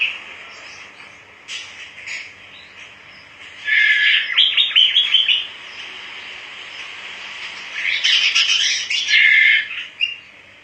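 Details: Vigorously singing Java sparrow: two bouts of rapid, clicking, chirping notes, each about two seconds long, with soft twittering in between.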